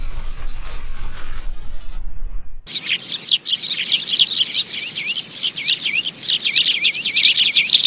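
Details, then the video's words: A sparrow lure recording: after a brief different opening sound, a busy flock of sparrows chirps in quick, high, repeated notes, several per second, overlapping into a lively chatter. "Tiếng chim sẻ mồi"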